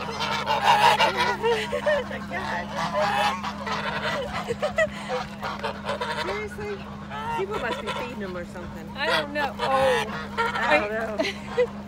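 Swan geese honk loudly and repeatedly, harsh nasal calls overlapping in a noisy chorus, with a steady low hum beneath.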